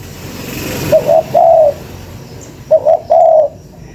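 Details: Lure recording of a spotted dove: two mellow cooing phrases about two seconds apart, each built of two brief notes and a drawn-out final coo, with a short burst of noise before the first.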